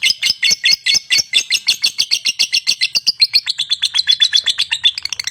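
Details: Lovebird chattering: a fast, steady stream of clipped high squeaky notes, about six per second, running continuously for several seconds.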